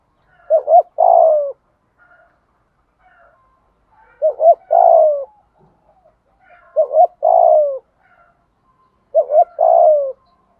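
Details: Calling spotted dove used to attract wild doves. It repeats four phrases about every three seconds, each made of two quick short notes and then a longer, low, falling coo.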